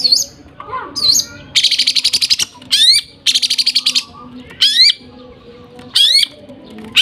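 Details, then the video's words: Lovebird singing nembak gereja sambung style: shrill hooked whistles alternate with dense buzzy trills of rapid pulses and steep rising squeaks, in separate bursts with short pauses between. "nembak gereja sambung love bird"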